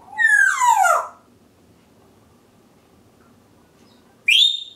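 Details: Domestic African grey parrot giving a harsh, raspy descending squawk lasting about a second, followed after a pause by one loud rising whistle, against a quiet indoor background.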